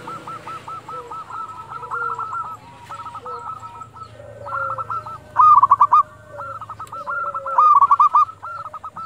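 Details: Several local zebra doves calling at dusk. Fast, overlapping series of hollow, stuttering coos, with two louder close bursts standing out over steady softer calling.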